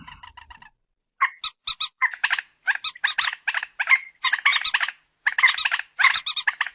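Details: Common moorhen (mandar batu) recorded by phone: after a short faint opening, a long excited series of nasal, rasping clucks in rapid clusters, growing denser toward the end.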